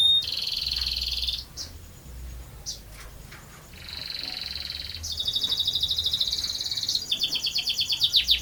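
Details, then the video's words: Canary singing a ngerol panjang song, the long rolling style. Sustained buzzy high trills alternate with short pauses and isolated chips. A dense, fast rattling roll closes the phrase. "Burung Kenari Gacor Ngerol Panjang"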